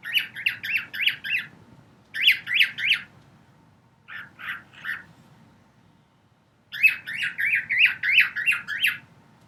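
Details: A male cockatiel sings to a wall, a female sitting nearby, in bursts of quick, rising-and-falling whistled chirps.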